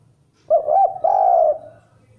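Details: Spotted dove song for luring other doves: one close phrase of two short curved coos running into a long, even, soft coo that fades out.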